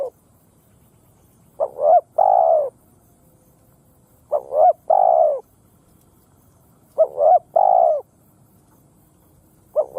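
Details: Spotted dove used as a ground lure to provoke wild doves into fighting, giving phrases of two short rising coos then a longer falling coo, the phrase repeated about every two and a half seconds against a quiet background.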